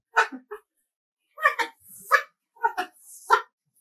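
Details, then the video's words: Angry umbrella cockatoo, said to be saying "W.T.F", gives three clusters of harsh, raspy, speech-like bursts over four seconds, each two or three syllables long, in a quiet room. "Umbrella cockatoo, Angry Bird saying W.T.F"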